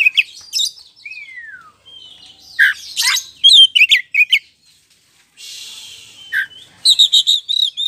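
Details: Black-throated magpie-robin (kacer poci) lure song played to make another bird respond: a varied, loud mix of sharp chirps, a falling whistled slur, dense rattling bursts, a long buzzy hiss and fast high trilled notes.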